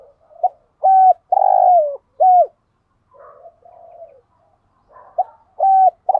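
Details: Lure cooing of a spotted dove, male and female voices, in the 'thúc gù' rapid style to draw wild doves. A phrase of a brief note, a long vibrating coo and a falling coo, then soft muffled cooing, then another phrase starting.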